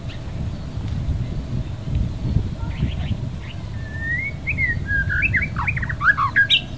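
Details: White-rumped shama song starting softly and building into clear sliding whistles, then rapid bright chirping notes toward the end, over a constant low rumble.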